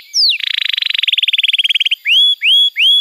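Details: Canary song for prompting young or silent canaries: one falling whistle leads into a dense, fast buzzy trill lasting over a second and a half, followed by three ringing upward-sliding whistles.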